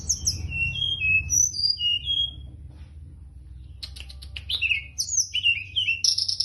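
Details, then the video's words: Teledekan gunung (Hill Prinia) singing actively, a series of sharp high whistled notes sliding down and up, then after a pause a burst of rapid chips and slurred whistles, over steady low background hum. "Kicau teledekan gunung gacor teler"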